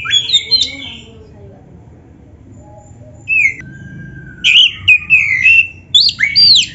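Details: Oriental magpie-robin, called kacer, delivering its varied song used to coax other magpie-robins into answering; short bright phrases, a pause, then sharp whistles and buzzy slurred notes in quick bursts.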